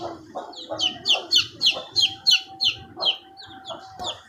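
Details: Chicks fifteen days old give rapid, shrill descending peeps, roughly three per second, over low clucking tones and a brief sustained lower note near the end.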